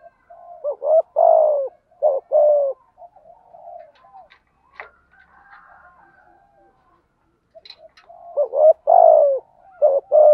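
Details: Spotted dove in the 'giọng thổ' thúc gù voice style, used for decoy training and luring wild doves: low two-part coos, a short note then a longer falling one, in phrases at the start and end with a quiet gap between.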